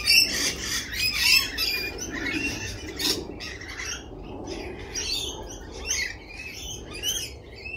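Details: Spring chorus of lorikeets: raspy shrieks and shrill chirps, densest at the start, then thinning into separate calls over a low background murmur.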